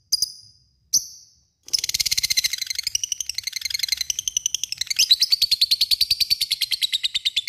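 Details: Lovebird calling an opponent with a long ngekek chatter. Two brief squeaks, then a rapid, unbroken rattling trill, shrill and buzzy, holding on and rising slightly toward the end.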